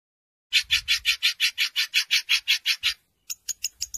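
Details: Long-tailed shrike kept by songbird hobbyists, singing borrowed phrases in its 2020 contest material: a loud series of about fourteen harsh, buzzy notes at an even pace, then a short pause and a few thinner clicks.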